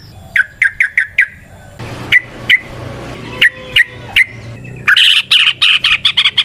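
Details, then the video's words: Yellow-vented bulbul calling in a natural setting, used as a lure: spaced, sharp chirps interrupted by a rougher noisy stretch, ending in a loud, dense chattering burst of rapid notes. "Trucukan GACOR ngalas ROPEL PANJANG suara alam"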